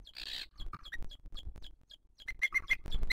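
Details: Booted eagle nest in 2023, the mother feeding her chick as other birds attack: a brief rushing burst, then scattered high chips building into a run of sharp repeated whistled notes, with soft low thumps.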